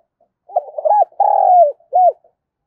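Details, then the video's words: Cooing of a decoy spotted dove used to draw in wild doves: soft stuttering notes build into a rounded coo, a long sustained falling coo, then one clear closing coo, in a quiet setting. "Tiếng chim cu gáy kích bổi thúc gù và gáy gọi"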